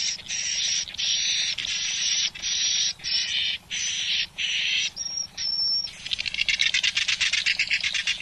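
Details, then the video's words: Swiftlet test sound imported from Malaysia, played inside swiftlet houses: high, harsh buzzy chirps in half-second bursts repeated in quick succession, ending in a rapid run of dry clicks. "Sound Test of Swiftlet សម្លេងដើមរបស់សត្វត្រចៀកកាំ"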